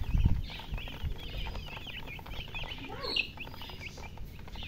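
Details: Baby chicks chirp in a group with quick, high, bent peeps tumbling over one another. A few low thumps sound at the start, and a lower rising squeak appears near the middle.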